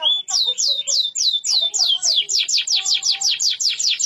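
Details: Deep-yellow canary singing a long roll: sharply down-slurred whistled notes repeated in a steady chain, about four per second, growing quicker and denser toward the end.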